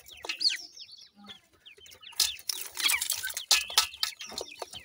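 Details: Several young grey francolins peep busily, their thin descending cheeps tumbling rapidly and irregularly over scratchy rustling and tapping noises.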